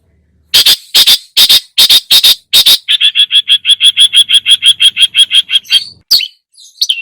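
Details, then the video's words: Long-tailed shrike lure song with mimicked fills: six loud harsh rasps, then a long, even, rapid trill of short chirps about four per second, ending with a few twisting whistled notes. "PANCINGAN !!! burung cendet gacor, full isian,..!!! DI JAMIN EMOSII."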